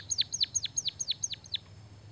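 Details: White-headed munia singing canary-style: seven high, clear chirps, each hooking steeply downward, evenly spaced about a fifth of a second apart in a quiet setting.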